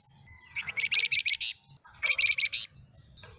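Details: Pied fantail with a stubby tail, recently bought from a bulk trader and caged, gives two short bursts of quick, high, twittering notes about a second apart, fairly soft against light background noise.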